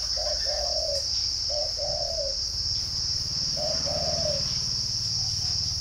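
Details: Spotted dove, bird farm in Ba Vì, Hanoi, Vietnam, delivering three paired coos, a clipped note then a longer falling one, against a shrill insect drone and a low rumbling hum.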